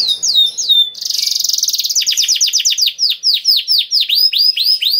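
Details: Singing canary with special cengkok phrases, meant to prompt other canaries to sing: quick falling whistles, then a buzzy, fast rattling trill that slows into a steady series of swooping downslurred notes.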